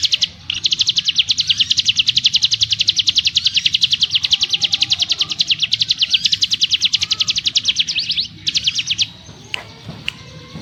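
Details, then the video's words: Ngebrem song of a ciblek gunung: a long, tightly packed, high-pitched buzzing trill of fast even pulses for about eight seconds, a brief break, one more short burst, then quiet rustling. "Burung CIGUN ngebrem nembak rapat - ciblek gunung master suara TEGAS"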